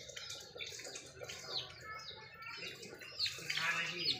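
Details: Fifteen-day-old Sonali chicken chicks being reared, several of them giving high, thin, downward-sliding peeps that overlap, loudest in the final second, over a steady background hiss.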